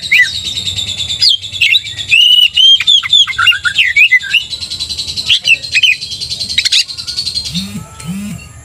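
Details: Oriental magpie-robin singing hard, a 'gacor' bird used to make other magpie-robins aggressive: dense chattering and whistled slurs about twice a second, then quieter notes and two low hooting sounds near the end.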